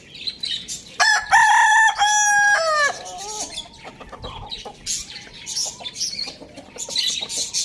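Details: Pet Lohmann Brown rooster kept with hens, chicks and budgies, Lalukhet bird market, Pakistan, crowing loudly: one long harmonic crow near two seconds, rising then held level and ending in a drop, amid busy high chirping and small clucks.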